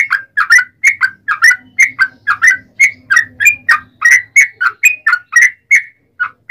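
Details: Yellow-vented bulbul in long 'ropel' song, played to provoke other bulbuls to respond: fast continuous series of warbling, slurred chirps with faint low background hum.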